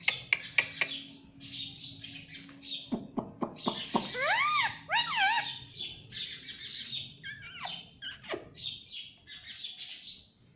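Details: Home-kept parrot that talks, saying "mummy papa"; clicks and chirps, then a loud stretch of wavering, harmonic voice-like syllables in the middle, followed by more high, hissy chirps.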